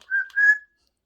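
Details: A talkative pet Amazon parrot whistles two clear, steady tones in quick succession, the second longer and slightly rising, with a brief breathy noise between them; quiet room otherwise.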